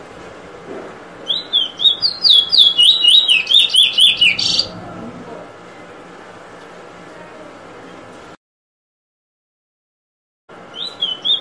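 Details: Bullfinch drawl: a burst of fast swooping whistles lasting about three seconds, then quiet, a break of silence, and a few more whistled notes at the end.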